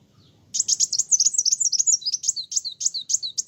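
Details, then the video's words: Sunbird song that provokes other birds: after a brief quiet start, a continuous run of high, sharp chirps and sliding whistles, about four notes per second, with a faint low hum underneath. "Kolibri wulung gacoorr bikin burung lain emosi"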